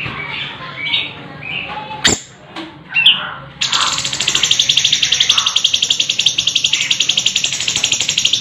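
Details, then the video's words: Sooty-headed bulbul (cucak cungkok) model song for contest training: a few scattered whistled notes, then a sharp sustained rolling trill, rapidly pulsed and unbroken to the end. "Cucak Cungkok / Variasi suara"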